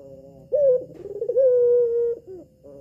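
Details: Captive red-eyed albino collared dove, a female whose call is played to make males respond: one loud drawn-out coo with a pulsing, rolling start settling into a steady low tone, followed by a brief softer note.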